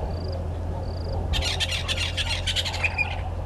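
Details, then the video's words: Red-billed hornbill at a nest tree at a waterhole in Djuma Game Reserve, Sabi Sand Wildtuin, South Africa, mid-morning on 30 January 2020. Loud, rough, rapidly repeated clucks run for about two seconds over high thin trills from other birds. "Red-billed Hornbill at nest tree"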